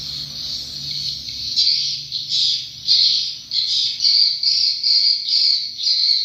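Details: Swiftlets give high, buzzy twittering chirps in short bursts roughly every half second, with a faint low mechanical hum underneath; the recording is described as a real swiftlet sound from a controller device.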